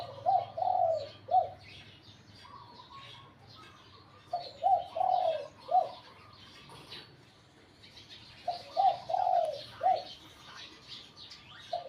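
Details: A competition-trained Spotted dove practising at home, delivering three phrases of mellow, gently rising-and-falling coos, each a quick cluster of notes ending with a separate short coo, with scattered chirps of small birds around.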